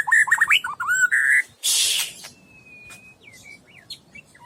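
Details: Caged white-rumped shama, a 12-month-old Medan bird 27 cm long, delivering quick rising whistled notes, a loud rasping burst, then a long thin steady whistle and scattered short chips.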